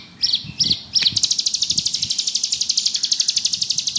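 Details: Ciblek gunung, bar-winged prinia, ngebrem song: three sharp high chips, then a long, even, very fast buzzy trill of high pulsed notes.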